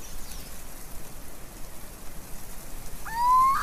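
A little owl gives a single clear, rising whistled note near the end, cut off mid-call, over a steady hiss like rain.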